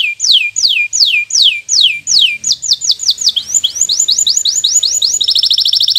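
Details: Singing bottle-green local canary, offered as a model for young birds learning their song: loud downward-slurred whistles repeated quickly, accelerating into shorter sweeps, ending in a fast high trill.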